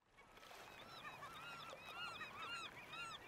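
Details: Black oystercatcher (Haematopus bachmani) calling: loud, shrill whistled wheep notes, about two a second, overlapping in an excited piping chorus over a low rumble of surf.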